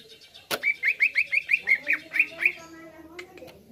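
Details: Song of a greater green leafbird used as a lure to agitate other birds. After a sharp click, about ten hooked, rising whistled notes follow evenly, then the phrase fades into soft faint sounds.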